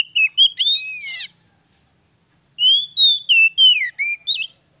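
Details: Oriental magpie-robin singing, used to stimulate a stalled bird so its mood returns: a rich burst of whistles with buzzy overtones, a pause of over a second, then a chain of short, slurred whistled notes.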